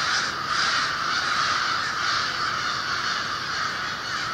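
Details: Over 1,500 American and fish crows waking in a winter communal roost over the Merrimack River, Lawrence, Massachusetts, before dawn dispersal, cawing over one another in a continuous, gapless roar.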